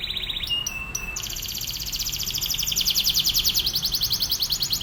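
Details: Atlantic canary delivering a master song meant to teach other canaries: a few sharp whistled notes open into a long, rapid, high rolling trill that grows louder.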